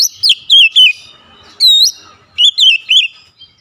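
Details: Oriental magpie-robin (kacer) singing in the 'tembakan pedas' style: loud, bright whistled notes in short bursts, each sliding up and down with sharp, swooping inflections, grouped in two clusters separated by brief pauses.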